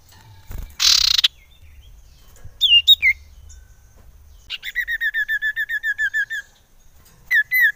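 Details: Common iora call played as a lure to excite other ioras. After a brief noisy burst, paired upswept whistles are followed by a long, even series of about fifteen repeated chirped notes, then more upswept pairs.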